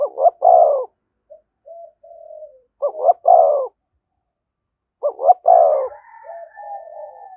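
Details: Three 'thúc gù' phrases from a spotted dove near a decoy bird: a clipped double hoot and then a fuller coo each time. Faint thin coos sit between them, and a weak higher tone joins at the end.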